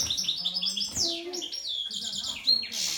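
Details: European goldfinch in breeding-season excitement: a fast, tinkling twitter of high liquid notes and buzzy trills, with a faint low murmur underneath.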